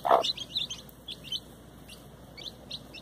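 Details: A hen with her chicks: one low, loud cluck at the start, then scattered high, thin peeping from the chicks in short bursts.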